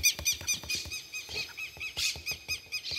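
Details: Juvenile rufous-bellied thrush filmed on 28 November 2022, giving a steady stream of harsh, buzzy, multi-toned calls about four per second, each a short rasping note, continuing without pause throughout.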